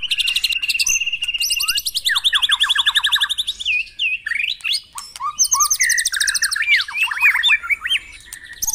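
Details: White-rumped shama morning song played to prompt caged birds to sing: a steady whistled trill, quick repeated note series stepping downward, then swooping tonal phrases and a high rapid rattle.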